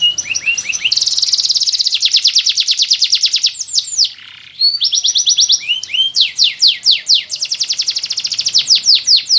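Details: Yellow Abyssinian canary, a male, delivers dense rapid trills and quick downslurred notes, pausing briefly midway before resuming with more fast repeated phrases.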